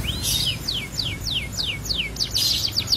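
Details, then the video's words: Canary song used in the morning to prompt other canaries to sing; a series of quick, clear whistled notes sweeping downward, repeated about every third of a second, then a burst of buzzy trilling. "PANCINGAN KENARI PAGI HARI EFEKTIF"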